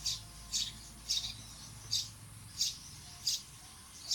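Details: Bird chirping: short, high, sharp chirps repeated about every 0.6 seconds, fairly faint over a steady background hiss and low rumble.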